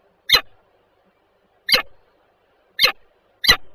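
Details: Peregrine falcons, a pair, at Żerań, Warsaw, Poland, 14 February 2023, 7:47. Four short harsh rasping notes sound at uneven intervals of about one second, with quiet pauses between.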